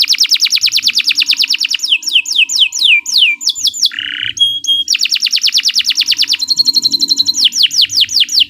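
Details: Canary song used as master song for training other birds, long continuous singing: fast buzzy trills, sweeping downslurred whistles, a brief low nasal note, then rapid rolling trills and repeated high chirps, all high-pitched and loud.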